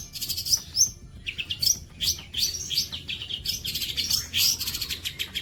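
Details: Long-tailed shrike in 'bolo panjang' style tutoring song: rapid high chattering and chirping phrases, quick whistled upslurs and trills packed tightly together, bright and continuous with short pauses.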